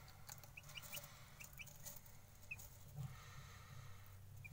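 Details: Hungry young chicken chick giving scattered short, high-pitched peeps, singly and in quick pairs, spread through the recording above a constant low droning background hum.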